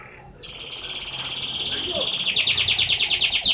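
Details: Canary singing a sustained high rolling trill that grows louder and breaks into fast pulsed repeated notes toward the end, over a low steady background hum.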